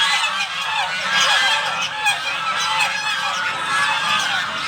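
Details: Geese at a home honk together for breakfast in a continuous, overlapping chorus of harsh, nasal calls, loud and unbroken throughout.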